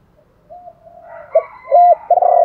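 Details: Spotted dove luring call: a soft low coo, then a short note, a flat sustained hoot and a loud broad closing coo, with faint higher tones in the background.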